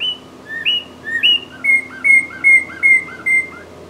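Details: Northern cardinal singing in spring: clear whistled downslurred notes, first paired phrases, then a run of seven quick identical whistles about twice a second, with a faint steady hum beneath.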